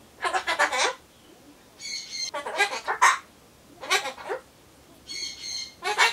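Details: Talking Solomons corella, a pet bird, monologuing while awaiting pumpkin; gravelly word-like bursts alternate with level whistles across the clip.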